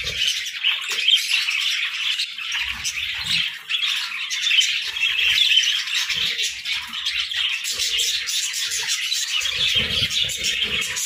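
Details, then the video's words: Morning chorus of parakeets: constant high, buzzy chirping and twittering from a group, interrupted by occasional low knocks and rustles. "Morning Chirping Parakeets"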